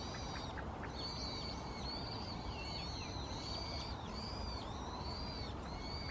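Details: Possible brown-headed thrush calling on 2 January 2015, perhaps to declare territory, recorded with a Canon PowerShot SX60 HS; a run of sharp, high, slurred notes roughly every second above steady low background noise.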